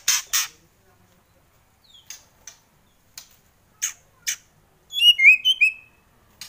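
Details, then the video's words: Kretekan of a White-rumped shama: several harsh dry bursts spaced apart, then a quick run of high twisting whistled notes, ending with another rasp. "Kretekan Murai Keras"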